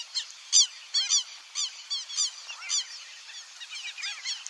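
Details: Wild black-bellied whistling ducks, Pantanal fauna: a flock giving many overlapping high whistled notes, each short and arched, several birds calling in quick irregular bursts of about two per second; no other clear sounds.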